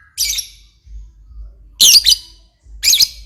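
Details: Active lovebird uttering three loud, harsh, shrieking squawks, the middle one strongest, over a low soft hum.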